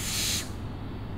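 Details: A single rasping, breathy owl screech about 0.4 seconds long that breaks off abruptly, followed by quiet low rumble.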